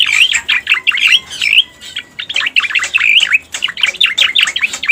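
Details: Cica koreng, the striated grassbird, on a trapping lure track: bursts of rapid V-shaped slurred whistles and scratchy chirps, a short lull near the middle, then another energetic rush of looping notes.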